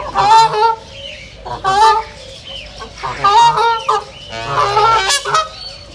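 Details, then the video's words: Ducks at a reserve call loudly in a run of rich, nasal honking quacks, several bursts in quick succession roughly every second, with faint bird chirps between them. "صوت البط | دجل البط | بطبطة البط | Duck sound"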